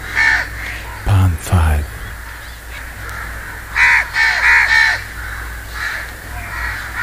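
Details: House crow (Corvus splendens) giving harsh, nasal caws: one early, then a quick run of four and a few scattered more, with a brief low voice or thump near the start.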